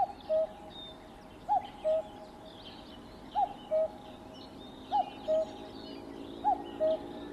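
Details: Singing cuckoo repeating its two-note call five times at steady intervals of about one and a half seconds, each a brief falling upper note followed by a held lower hoot, with faint distant chirps behind.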